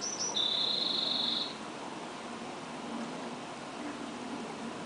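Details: On June 13, a female Allen's hummingbird on her nest with 2-day-old chicks fans her tail aggressively at her reflection; the tail makes cricket-like chirps: a brief high squeak, then a thin buzzy note held about a second, over soft hiss.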